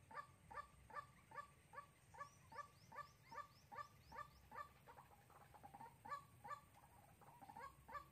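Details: White-breasted waterhen used as a trapping decoy in Soc Trang on 2 February 2021. It gives a long, rhythmic run of clipped nasal notes, about two and a half per second, with a brief faster stretch midway.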